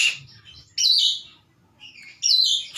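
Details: Oriental magpie-robin kept at home, singing energetically: harsh, buzzy bursts of high notes, each loud phrase lasting about three quarters of a second with quieter scratchy notes between, in a quiet setting.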